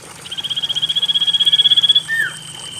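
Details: Common iora song used to coax idle caged birds into song: a long high trill of about twenty fast pulses building in volume, ending in a sharp downward whistle, with trickling water in the background.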